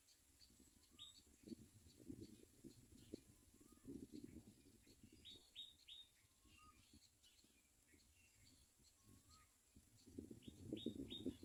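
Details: Common myna (Acridotheres tristis) chicks at the nest begging from their mother: quick, high, thin chirps in rapid clusters with occasional lower whistled notes, over low rumbling bursts of wind or handling noise.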